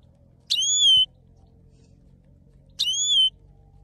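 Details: Male saffron finch singing: two clear whistled notes, each a slightly curving tone of about half a second, about two seconds apart, in near silence.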